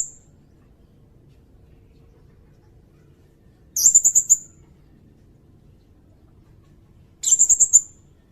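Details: Sirindet, used as a training and luring recording for songbirds: two separate bursts of very high, rapid ticking notes, each about half a second long and a few seconds apart, against near silence.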